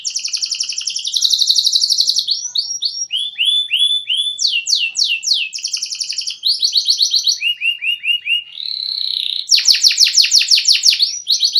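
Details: Canary master song that shifts between tours: rapid high trills, separate downward slurred whistles, a low rolling trill, then a loud fast rattling trill near the end.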